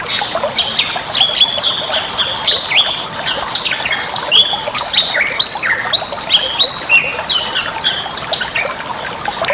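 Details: Bali myna song used to tutor other caged birds: rapid overlapping whistles and scratchy chatter, with bright upslurred and downslurred notes tumbling almost without pause against a constant background hiss.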